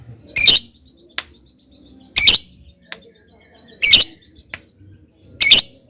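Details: A lovebird in ngetik style, used as a lure to start a lovebird singing. Short, harsh, scratchy bursts come about every 1.7 seconds, with faint single ticks between them.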